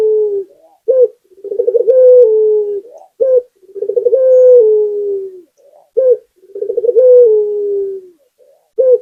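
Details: Local spotted dove repeating its song about every two and a half seconds, nearly four full phrases: a short sharp coo, a soft lead-in, then a quick rolling tremolo merging into a long, low, falling coo.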